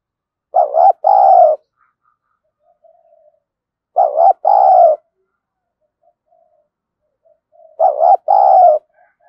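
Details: Spotted dove used as a decoy for catching wild doves, thổ sấm voice style: three deep cooing phrases, each a quick broken note then a drawn-out coo, spaced roughly every 3.5 seconds in quiet surroundings.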